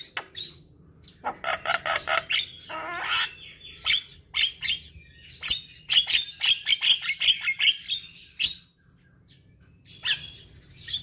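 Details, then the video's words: Javan myna chattering in series of raspy, clicking notes with a few high squeaks, then a brief quiet spell and a last harsh burst. Played to stressed mynas that have stopped singing. "Terapi Burung Jalak Stres Macet Bunyi"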